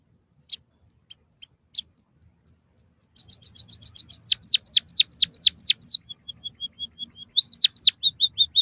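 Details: White-headed munia song used to train caged birds. A few scattered clicks and a pause give way to rapid high chirps, a string of steeply falling whistles, soft level pipes, then more chirps.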